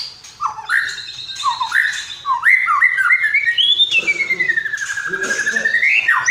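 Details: White-rumped shama in persistent 'gacor' training song, filled with imitated calls of other birds: short clear whistled slurs rising and falling, then a long sweeping whistle curving down and back up, over faint low rustling.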